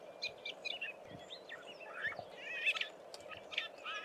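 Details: A lesser grey shrike, a rarity in the Eastern Cape, sits on a phone wire watching the ground for prey and sings a quiet subsong: rambling varied chirps, squeaks and short warbled phrases over a low hum.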